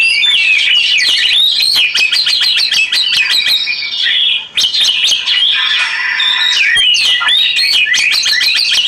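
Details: Oriental magpie-robin singing continuously with flowing water for therapy: rapid sharp chips and varied whistles in quick succession, a brief pause, then more chattering notes and a low buzzy passage.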